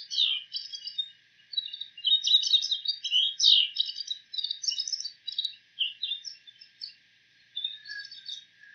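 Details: Wild bull-headed shrike imitating the calls of other bird species; a dense, fast run of varied high chirps and short buzzy notes, phrases tumbling together with brief pauses.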